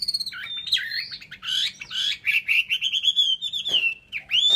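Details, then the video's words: A continuous, loud, fluty warble from a Chinese hwamei, with rapidly changing, wavering whistled notes and a sharp upward note at the end. "họa mi"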